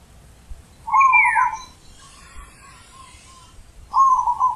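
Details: Zebra dove cooing in the deep ulem style. Two trilled, rolling coo phrases in a low register, the first opening with a falling higher note, separated by faint softer echoing coos over quiet background hiss.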